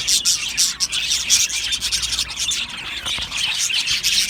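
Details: Many Australian budgie parrots chirping together in an aviary colony, steady high twittering with scattered sharper notes and no silence between calls.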